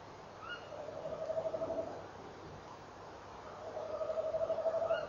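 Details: Male tawny owl trilling at 06:45 on 18 November 2013, captured by a camera, with the female answering and encouraging him: two rolling, quavering low trills, each lasting about a second, each preceded by a short, sharper, higher note.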